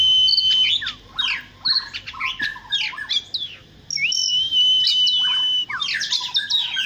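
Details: Oriental magpie-robin in morning song: quick chirps and short sweeping notes, then long steady pure whistles held high, some overlapping, with brief pauses between bursts.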